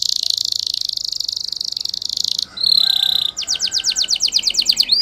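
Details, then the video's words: Spanish Timbrado canary song used for training canaries: a dense, buzzy high rolling trill held for over two seconds, then a brief clear note, followed by a fast series of sharply descending whistled sweeps, several per second. "Canary Singing Training Video"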